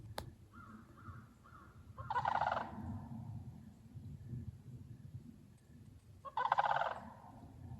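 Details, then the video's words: Sandhill cranes in a flock, loudly squawking on a September morning walk at a bog under a thundery sky with a rainbow; two rolling, rattling bugled bursts about four seconds apart, with softer faint notes before them. "a flock of loudly squawking sandhill cranes"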